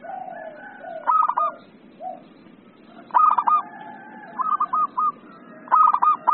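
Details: Local zebra dove singing eagerly while other doves respond: low, soft hoots open, then sharp-onset phrases of fast, stuttered coos come in overlapping bursts.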